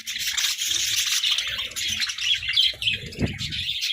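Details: Pet budgerigars competing for treats, quick scratchy chirps tumbling out several per second in a dense flock chorus, with a sharp knock near the end.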